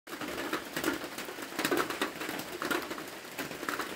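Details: A rufous-breasted wood quail at Wayra Reserve, Ecuador, gives low, hollow notes repeated roughly once a second over a steady background of crunching, rustling noise.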